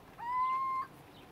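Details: Little owl, Trebujena vineyards, Spain, February 2018: one plaintive, cat-like mew that swoops up briefly and then stays level and pure-toned for over half a second, with only low background hiss around it.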